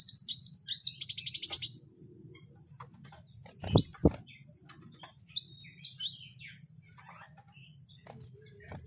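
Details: Kowul heard in its natural habitat, opening with arched whistles and a fast buzzy rattle, then high sharp chirps and slurred notes after two loud low thumps.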